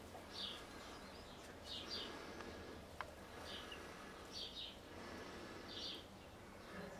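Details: Young golden pheasant chicks kept indoors in a brooder, with a two-month-old Mille Fleur chick nearby; thin high chirps repeat roughly every one to one and a half seconds over faint hiss, with a single click near the middle.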